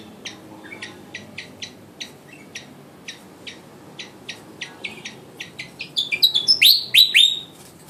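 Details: Flycatcher, one year old, in a singing training session: a steady run of short high ticking chirps, about four per second. It ends in a loud burst of sweeping, descending whistled notes.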